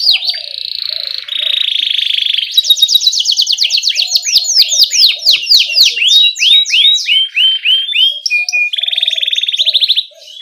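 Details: Energetic canary singing a rolling 'ngerol' song with 'cuit cuit' notes, used as a lure for tutoring young canaries: a buzzy opening, then rapid falling whistled sweeps repeated about four per second, ending in a fast high trill.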